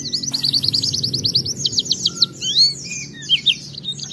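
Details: Rapid series of high, rising whistled slurs from an oriental white-eye, followed by scattered squeaky chirps; a recording used to coax other white-eyes into song, with faint background hum.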